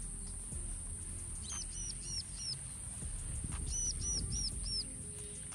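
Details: Two Zebra dove (Geopelia striata) chicks, about 6–7 days old, wait in the nest for a parent and give two quick runs of four thin, high, down-slurred squeaks a few seconds apart over steady hiss and low rumble.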